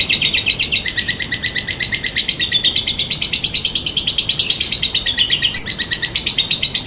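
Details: Rapid high trilling chatter of a lovebird, played as a lure to prompt answering calls: dense repeated buzzy notes rolling on continuously, a few louder clicks breaking into the stream.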